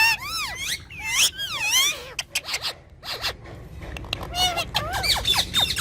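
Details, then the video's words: Two pet talking parrots calling together: loud harmonic arched notes and speech-like phrases, several sweeping up and down, with sharp broadband clicks and scrapes in between. "Talking Parrot"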